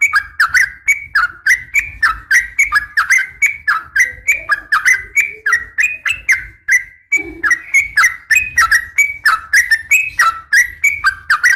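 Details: Female yellow-vented bulbul calling to a male: rapid, continuous series of short bubbly whistled notes, each dipping and rising, about three to four per second, with a faint low hum underneath.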